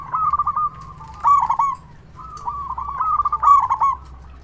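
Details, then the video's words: Actively calling local zebra dove, loud-voiced, used as a lure so other doves reply. Two long phrases of fast, bubbling coos rise to louder accented notes, separated by a short pause. "Perkutut Lokal Gacor SUARA BESAR Ahlinya Bikin Semua Burung Perkutut Langsung Nyaut"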